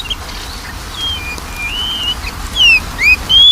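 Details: Lure song of a magpie-robin to prompt a lazy bird to sing: soft drawn-out whistles at first, then three loud, clear slurred whistles close together at the end, over light hiss.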